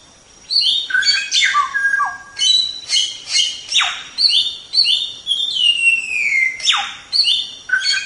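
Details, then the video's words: White-rumped shama song recorded as a tutoring track for cage birds, a rich mix of clear whistles, harsh notes and a long sliding descending whistle, delivered in rapid varied phrases. "Masteran Suara Samyong"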